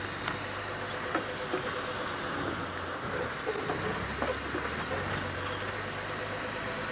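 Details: A sunrise safari drive with a continuous rumbling vehicle and scattered knocks and clicks.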